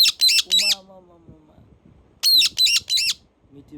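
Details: A pet talking parakeet that mimics speech gives harsh, rasping squawks in two quick bursts of three, with a lower, voice-like drawn-out phrase between them, while its owner talks to it nearby.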